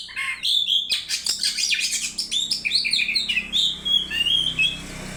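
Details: Oriental magpie-robin coaxed to sing gives a loud, dense, varied song. Rapid chattering notes and clear whistles mix with harsh, buzzy bursts and quick high twitters, continuing without pause.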